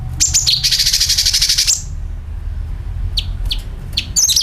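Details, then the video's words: Sooty-headed bulbul used as a lure, giving a shrill falling phrase that runs into a long harsh buzzy rattle of about one second, followed by scattered single chirps and a closing bright burst. "CUCAK KINOI ||PANCINGAN PALING AMPUH TERBUKTI PASTI IKU BUNYI SUARA PANGILAN + NYERET"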